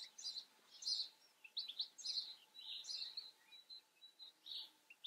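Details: Wild European goldfinch singing in the Eifel region: lively bursts of high, liquid twitters and chirps in quick clusters, separated by brief pauses, with a few thin whistled notes near the end over a soft, steady background hum.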